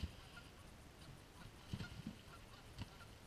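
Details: Fighting geese heard as a few brief, nasal honks spaced irregularly over a steady low background rumble.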